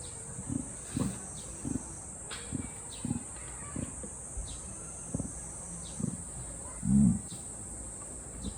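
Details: Captive emu at Satsukiyama Zoo, Japan, making its burp-like resonating 'goo-goo' voice: soft, deep thumping pulses repeated about every half second, with one louder, fuller grunt near the end and faint outdoor background hiss.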